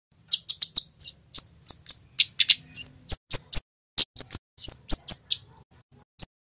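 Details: Male Javan scarlet-headed flowerpecker (kemade) singing loudly and continuously in a master recording: sharp, very high chirps and thin upslurred 'cit' notes come in quick irregular bursts of two to four, with brief gaps.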